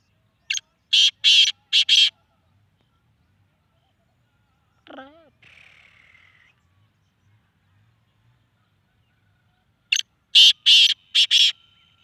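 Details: Black francolin in Sindh, Pakistan, repeating its grating phrase twice, each a short note plus four rough rasping bursts, with a brief descending squeal and a soft buzzy sound between the phrases.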